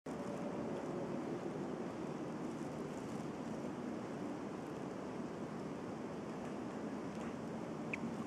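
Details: A steady broadband roar of wind or rushing water fills the whole recording, unchanging throughout, with no tapping or other animal sound.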